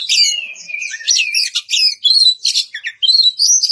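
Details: Oriental magpie-robin in ngeplong style, calling out a rival: continuous bright, high song of slurred whistles and quick chattering notes, broken into short phrases with brief gaps.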